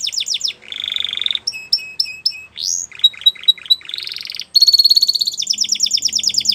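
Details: A Spanish Timbrado canary sings a training song of high, rapid tours, switching every second or less between fast chattering trills, buzzy rolls and bright metallic notes, with no other sounds.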